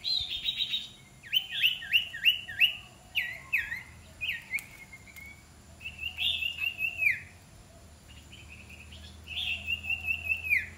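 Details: A young iora, being trained as a decoy bird, gives rapid series of sweet, downslurred whistles, several notes per second in short bursts, with pauses between runs over a faint steady hum.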